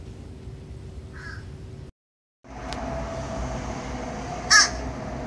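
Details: Crow calling as if saying hello: one short, harsh caw near the end, with a faint earlier note and a brief silent gap, over steady background hiss.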